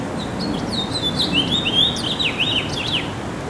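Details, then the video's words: House finch singing a rapid, warbling string of varied high, sweeping notes, rising and falling and slurred together for about two seconds, over a steady low background hum. "Tiếng Hót Của Chim Se Sẻ Đầu Đỏ Bắc Mỹ - House Finch"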